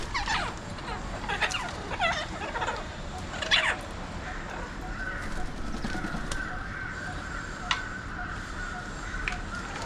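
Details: Alexandrine parakeets, also called mountain or pahadi parrots, watched from a window in Mumbai, India; harsh, screechy calls come in bursts over the first four seconds, loudest near the middle, followed by a faint steady tone over constant background hum.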